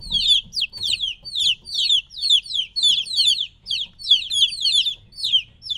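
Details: Noisy three-week-old chicks apart from their mother hen: loud shrill peeps falling in pitch, arriving in rhythmic clusters about twice a second, several birds overlapping.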